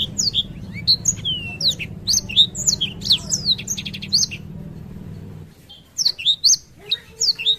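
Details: Black-throated canary in a long, continuous rolling song ('ngerol'): rapid, varied high chirps, trills and slurred whistles pour out almost without pause, briefly breaking off near the end before resuming, over a low steady hum that stops partway through.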